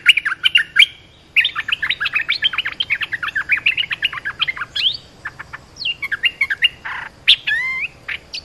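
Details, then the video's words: Olive-winged bulbul lure call for training young birds and calling wild birds: a long, dense run of rapid, bubbly chattering notes, a brief pause, then rising and falling whistled phrases ending in a few sharp upslurs. "เสียงนกดอกแตงEp.248 เปิดหัดลูกเสอ ลูกใบ้ เสียงเรียกนกป่า Suara pikat merbah lekir gacor"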